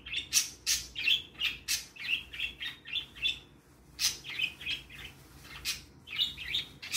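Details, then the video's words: Three pet parakeets chirping cheerfully in the morning as they play: rapid run of bright, warbling chirps about three a second, with sharper clicky squeaks mixed in, fairly continuous throughout. "Cute Parakeets Chirping and Playing"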